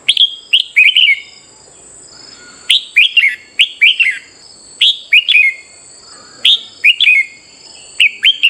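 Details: Red-whiskered bulbul song for morning training and competitive singing: short bright phrases of two or three quick chirpy notes repeated roughly every second, with a steady high-pitched whine throughout.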